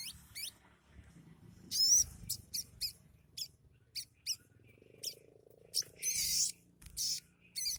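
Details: Sunbird singing a song filled with imitations of other birds such as sparrows and mossy-backed prinias: scattered high, thin chirps and short trills, with a few harsher noisy bursts over a low background hum.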